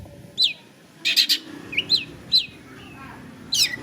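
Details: Long-tailed shrike (cendet), a kept songbird, giving short, sharp high chips and brief buzzy bursts spaced by pauses of about half a second to a second, with low background rumble.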